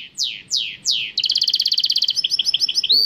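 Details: Goldfinch mule, a goldfinch crossed with a canary, in song: three long downward-sweeping whistles, then a rapid bubbling roll of paired notes, and then a run of quick, rising, chirpy phrases.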